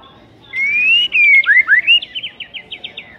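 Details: White-rumped shama provoking material: a long rising whistle, then a bright falling slur, quick swooping notes and a fading series of short chattering notes.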